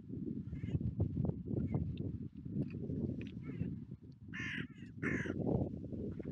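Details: Wild carrion crows gathering on a UK seafront clifftop to be fed; two harsh raspy caws near the end, with a few fainter calls earlier, over steady low rumbling wind and surf noise.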